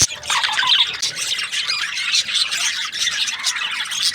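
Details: Several budgerigars in breeding season, chirping in a fast, overlapping chatter of bright squeaks and warbling notes that rises and dips in loudness.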